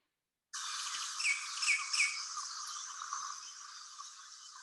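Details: In Cuba, where it is common everywhere, a Cuban blackbird gives three quick, high, upslurred whistled notes about half a second apart in a peter-peter pattern, over a steady background hiss.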